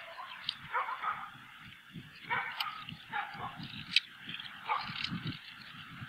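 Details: Bald eagle pair's nest at Hanover, 10 February 2017, the female uncomfortable and digging in the frozen nest to lay the first egg; scattered sharp, squealing piping notes every second or so over wind rumble.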